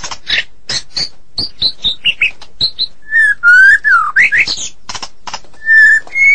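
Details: Medan-type white-rumped shama in full, vigorous song: sharp broad clicks and short high chirps at a steady beat, then clear whistled notes, buzzy rising phrases and a level whistle.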